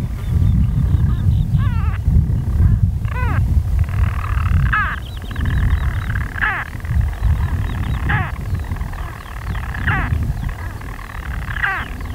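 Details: European storm petrels purring from nest burrows on Skokholm, Pembrokeshire, Wales, by day on 5 June 2013: a deep, continuous churring broken roughly every one to two seconds by abrupt hiccup notes, with other birds calling faintly.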